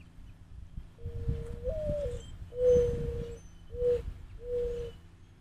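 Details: Larger dove cooing as a threat during a fight with a smaller dove; low steady hooted coos, one long drawn note followed by three shorter ones, with soft rustling and background noise.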